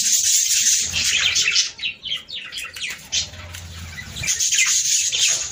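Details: Budgerigars warbling, a sound aimed at prompting breeding; thin chirps and scratchy chatter over a steady high hiss, louder at the start and end with a quieter stretch in the middle.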